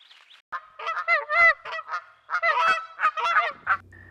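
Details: Canada geese at a beaver pond in Sax-Zim Bog, northern Minnesota, recorded by trail camera in spring, honk loudly in rapid, overlapping nasal two-toned calls, two or three per second, with short pauses between bursts.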